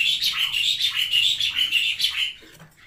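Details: Chattering song of a cililin, lively and in full voice, a fast run of high sharp notes repeated for over two seconds before fading to quiet.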